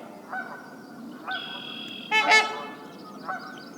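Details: Trumpeter Swan, North America, giving four deep, brassy, horn-like honks at uneven intervals, the third loudest and doubled, over soft hiss; lower-pitched and more honking than Tundra Swan calls.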